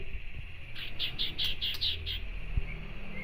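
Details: Common iora provoking a rival with a harsh chatter: a quick string of about eight rough, scratchy notes given in just over a second, over steady low background hum.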